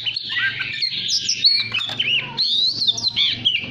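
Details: Oriental magpie-robin used as a decoy to get other birds singing: rapid, varied high whistled phrases with bright slurred notes and short breaks, over a faint low mechanical hum.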